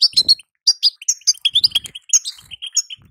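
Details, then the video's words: Female European goldfinch batbata call, intended to make a caged male sing: sharp, high, slightly rising chirps in quick succession, some doubled, with faint low rattling beneath. "بتبته انثى الحسون تخلي يزلزل القفص من التغريد"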